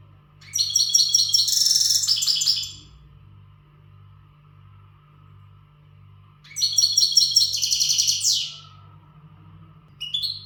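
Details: Powerful song of an untutored European goldfinch prepared for breeding: two dense, buzzy, tinkling twitter phrases, each about two seconds, separated by several seconds of quiet, plus the start of a third; steady pulsing hum underneath.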